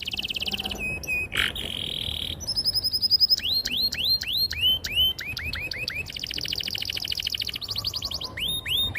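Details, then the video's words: Long, clear, energetic canary song played to stimulate young canaries learning to sing: buzzy trills, rapid series of curved whistled notes and rolling high phrases changing every one to two seconds. "PANCINGAN KENARI GACOR PANJANG || PANCINGAN KENARI PAUD BELAJAR BUNYI || MASTERAN KENARI PAUD"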